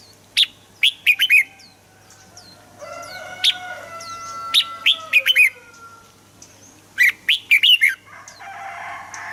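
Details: Red-whiskered bulbul song for prompting kept birds to sing: three bursts of four or five bright whistled notes, roughly three seconds apart, with faint high calls and a steady drone in the pauses.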